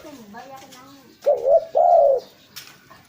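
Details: Spotted dove call used to lure birds: two low, mellow, hollow coos in quick succession, following a softer wavering murmur at the start, with a faint click near the end.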